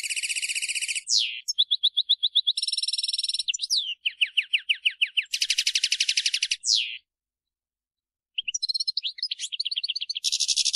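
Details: European goldfinch song and calls from birds in the field: long stretches of fast buzzy trills alternate with runs of short repeated chirps and falling slurs, with a brief silent gap before twittering resumes.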